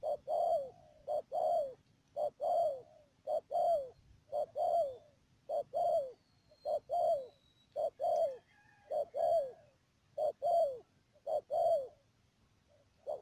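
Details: Long run of two-note coos from a spotted dove used as a trapping decoy at Mương Điều, Cà Mau, Vietnam, 12 March 2019, a quick note and a longer falling note repeated about once a second.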